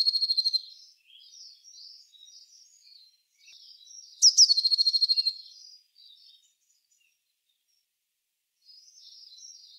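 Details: Eurasian blue tit trills, one loud and clear in the middle with high opening notes and a fast pulsed trill, surrounded by softer twittering chirps.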